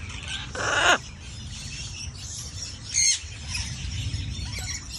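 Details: Young macaw during brunch with a companion gives a loud harsh squawk near the first second, then a second shorter raspy burst about two seconds later, with faint chirps and a low continuous hum between calls.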